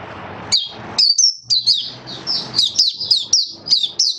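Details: Caged oriental white-eye performing buka sing, its opening song: chains of bright, high chirps and short whistled slurs, coming quickly and irregularly, with a low hum in the background.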